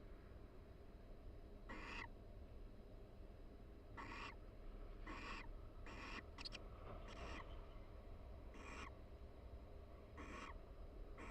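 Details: Barn owl pair calling quietly inside a nest box at the University of Florida while preening; eight short, fairly faint raspy notes at irregular intervals, a brief scratchy burst midway, over constant low hum.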